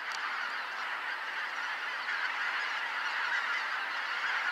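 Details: Flock of greater white-fronted geese flying in to roost at Kotomo Pond at dusk, 13 October 2019. Steady wall of many overlapping honks, slightly louder in the second half, with a brief sharp click near the start.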